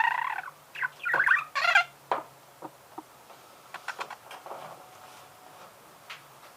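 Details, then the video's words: Budgerigar warble that opens with loud, harsh chattering bursts, then trails off into sparse soft clicks and faint ticking notes. "Пение волнистого попугая"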